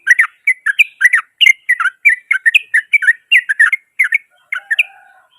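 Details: Loud, coarse song of a yellow-vented bulbul that provokes rival bulbuls into reacting: a steady stream of bubbly, liquid chattering notes, roughly three per second, continuing for over five seconds.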